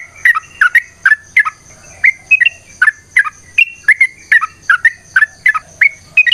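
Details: Sooty-headed bulbul in lively, long rapid fighting-style song, used as a lure and master recording for captive birds: short bubbly whistled notes repeated about twice a second, some rising, some falling, with a faint steady high hum behind.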